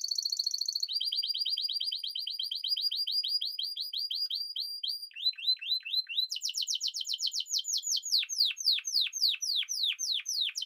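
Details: A Spanish timbrado canary sings a long, even, rapid rolling trill, then short dropping notes, then loud, steeply descending sweeps repeated quickly. The recording is clean with no background noise.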